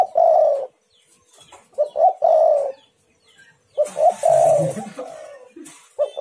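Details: Spotted dove cooing, used as a lure to provoke rival doves into calling: soft, mellow, low coos in short grouped phrases of two or three notes, separated by pauses of about a second.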